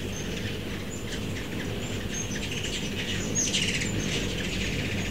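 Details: Ruby-throated hummingbirds on fall migration, mostly immatures, visiting feeders in a Starkville, Mississippi backyard in mid-September 2012; rapid thin high-pitched squeaks and chips, several overlapping, with steady low background rumble.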